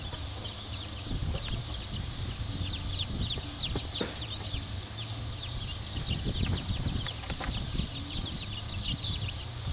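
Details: Chorus of black Cochin bantam chicks, continuous high thin peeps overlapping throughout, over a low hum and occasional clicks or taps.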